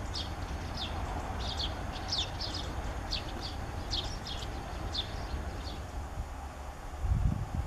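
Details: Great spotted woodpecker (Dendrocopos major) giving sharp, high, clipped calls in quick irregular series, about twice a second, over a steady low rumble of background noise, with a brief low thump near the end.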